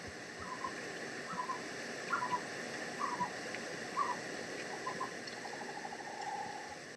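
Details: Western Screech-Owl, one of two birds calling in the Southern California mountains and foothills: faint, hollow hoots around one second apart, speeding into a quick bouncing run at the end, over a steady rush of flowing water.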